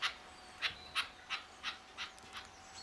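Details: On a wet March 2012 morning at RSPB The Lodge, Sandy, UK, a red-legged partridge wandering in front of a hide gives about eight harsh, chuffing notes, roughly three per second, fading toward the end over a faint steady hum.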